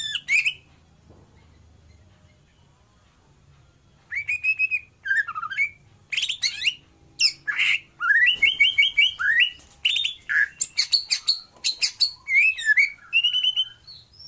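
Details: White-rumped shama of the Nias type in full song: a brief opening note, a pause, then rich varied whistles, buzzy notes and sharp chattering bursts delivered in quick succession, with low background hum.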